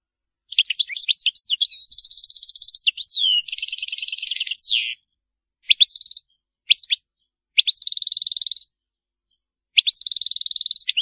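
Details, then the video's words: European goldfinch delivering the Maliki song style without errors: tangled twitters, a high even trill, a buzzy descending trill, then several short separate trills with pauses between them. "تغريد الحسون المالكي خالي من أخطاء"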